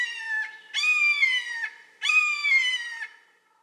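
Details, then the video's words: Red-shouldered hawk giving loud, harsh, nasal screams, each drawn out nearly a second and dropping slightly at the end; two full calls follow the tail of an earlier one, with a quiet, clean background. "Sounds Of Nature - Red-shouldered Hawk - Bird Sounds"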